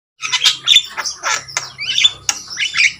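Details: Javan myna, known locally as jalak kebo, singing energetically in its natural voice: a run of harsh, squawky, rasping notes broken by short high whistles, packed closely over three seconds with a faint low hum beneath.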